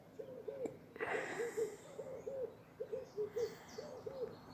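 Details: A dove calls in Rwanda, heard while walking downhill toward a town gate by a big lake. It gives a steady run of about six low, hollow, rolling coos at even spacing, with faint high bird chirps behind.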